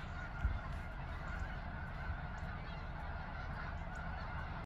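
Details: On 23 February 2020 a few snow geese keep up an even, droning mass of honking calls, one brief louder note near the start, over steady low background noise.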